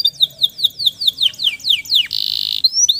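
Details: Singing male canary meant to coax stressed canaries back into song, giving a series of clear falling whistles about every quarter second, then a harsh buzzy burst and rising whistles.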